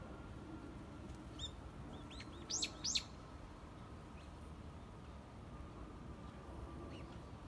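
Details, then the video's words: Bird song beside sakura: a brief cluster of thin, high, upswept chirps, with two louder notes in the middle, then only scattered faint peeps against a steady noisy background. "BIRDS SINGING AND SAKURA- ПЕНИЕ ПТИЦ И САКУРА"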